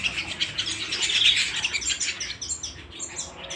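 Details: Canary singing at home, a short stretch of bright, rapid high twittering that peaks in the middle then eases into scattered sharp chirps.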